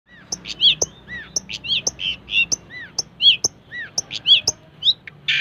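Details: Long-tailed shrike singing energetically; varied sharp chirps, rising and falling whistled notes and scratchy trills delivered in quick irregular bursts, with faint low hum beneath.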